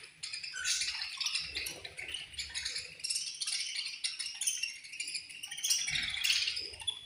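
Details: Many budgerigars chirping together in a colony at feeding time, with a steady, busy stream of high twittering, squeaks and scratchy chatter, with occasional soft low knocks.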